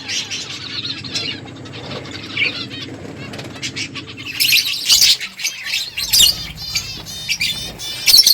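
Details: Finches eating; quiet chatter gives way to loud, rapid bursts of high chirps and twitters from several birds, mixed with wing flutters, in the second half.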